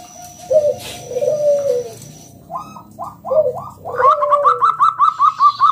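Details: Local zebra dove with a strong voice, used as a lure for other doves: low wavering coos, then clipped notes building into a rapid, regular series of higher bouncing notes.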